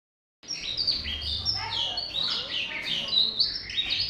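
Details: Tesia song used as training material for songbirds: a busy run of high, thin whistled notes jumping up and down in quick steps, with a low hum underneath.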